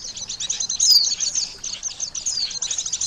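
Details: Oriental white-eye calls used as a lure for trapping birds: dense, high thin chirps and twitters in a continuous busy stream, with a few sharp descending whistled notes.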